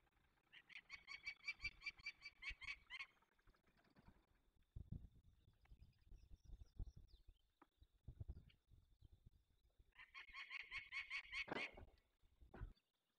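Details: Released young peregrine falcons, Barycz Valley, Poland, May 2020: a rapid series of rasping repeated notes opens, followed by low thumps and handling noises, then a second burst of harsh cackling near the end.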